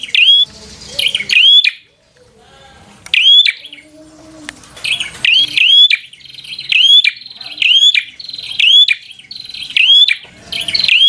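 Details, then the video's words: Bar-winged prinia in full 'fighter' song, meant to anger rival prinias: clusters of shrill upswept whistles and ticking clicks, a brief quiet gap near two seconds, then steady bursts about every second until the end. "Suara Burung prenjak | Prenjak Gacor Full FIGHTER Bikin Prenjak Jadi Emosi Lawan"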